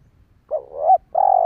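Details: Single phrase from a spotted dove, recorded to lure wild doves: a wavering, rising coo, a brief pause, then a sustained even coo, over faint low background rumble.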